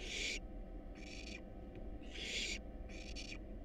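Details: Hungry barn owl nestlings, wild, in a nest box being fed a rat and a rabbit; four harsh hissing screeches in under four seconds, each about half a second long, against a low steady hum.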